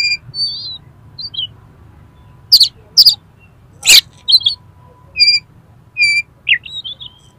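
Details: Highly aroused oriental magpie-robin in fighting mode, meant to make other magpie-robins spread their tails: sweet wavering whistles, sudden harsh clicks and rasps, then steady pure whistled notes repeated about once a second.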